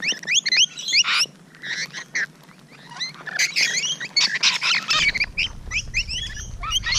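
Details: Close encounter with Rainbow Lorikeets on the morning of 12 June 2017: sharp, high squealing notes and raspy screeches tumble over one another, with a low background rumble in the final seconds.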